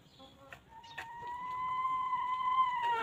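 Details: Free-range chickens walking and pecking on a quiet farm; one bird gives a loud, sustained, tonal note that slowly rises and holds for about two seconds, with a few sharp short sounds before and after.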